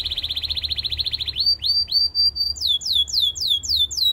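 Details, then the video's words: Belgian canary singing to seduce other canaries. A fast, even rolling trill runs for over a second, then gives way to loud repeated swooping whistles. "A special canary to seduce all the canaries - The belgian singing canary"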